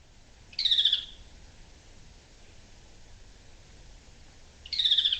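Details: Magellanic tapaculo, or churrín del sur, from Aysén, Chile, giving a second song type unlike its territorial song; two high, brief descending notes about four seconds apart over faint background hiss.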